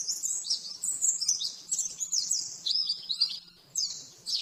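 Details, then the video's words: Oriental white-eye master song for caged-bird training: quick, high, slurred twittering phrases in short bursts, one near-silent gap before a final burst, faint hum beneath. "Masteran burung pleci nembak-nembak 100% jernih"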